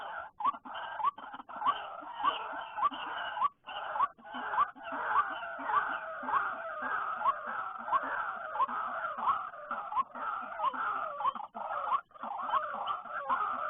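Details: Many white-breasted waterhens out after rain, especially late afternoon, heard during trapping: a long continuous chorus of rising, harsh croaking notes repeating about twice per second, layered with constant raspy chatter and brief gaps.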